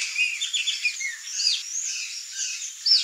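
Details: Chopi blackbirds in a flock, singing a lively jumble of clear whistled chirps, quick slurred notes and rising squeaks, several voices overlapping, ending with a sharp high note.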